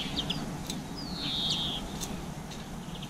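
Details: Garden birds (black-capped chickadee, blue tit, greenfinch) eating seeds around 7 pm in April give quick high chirps and one longer thin, slightly falling whistle, over a steady low rumble of background noise.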